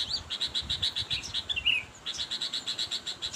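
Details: Bird-luring sound of a sooty-headed bulbul calling to a rival: quick chattering run of sharp high notes, about six a second, broken by a slurred twisting note mid-way, then the rapid chatter resumes.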